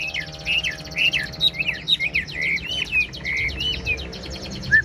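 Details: Chinese hwamei kept in a cage, fan-tailed and said to be 95% tame, pouring out a rich song of arching whistled notes and rapid warbles, some faint background hum.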